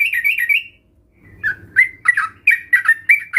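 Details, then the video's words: Sooty-headed bulbul lure song, used to prompt other bulbuls to sing: a burst of bubbly warbled notes, a short pause, then a run of sharp, clipped whistled notes repeated in quick succession, with faint low background hum. "Pancingan Trucukan Bahan Ombyokan ‼️COCOK Untuk Memancing Trucukan Anda Agar Bunyi dan Gacor"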